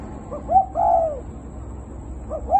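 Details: Caged spotted dove, a strong decoy bird in Thai Nguyen, Vietnam, being handed to a new owner: soft, low cooing notes, a short rising coo followed by a longer drawn-out arched coo, then two more brief coos near the end, faint background hum.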